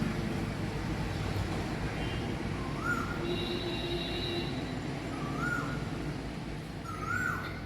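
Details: Asian koel calling on a rainy morning among green trees, including neem, debdaru and banyan: three rising, upslurred notes spaced a few seconds apart, over a heavy, steady wash of low background noise.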